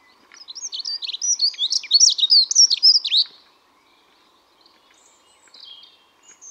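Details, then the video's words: A dunnock sings a hurried, high, scratchy warble of jumbled notes for about three seconds, followed by a few faint distant chirps. "Vogelstimmen: Die Heckenbraunelle - Dunnock"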